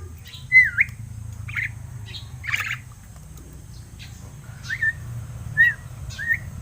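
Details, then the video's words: Crested myna, seven months old and kept at home, giving short curled whistles and brief harsh squawks, with several quick upturned notes clustered in the second half over low background hum. "MARTINEZ BIRD TALKING!"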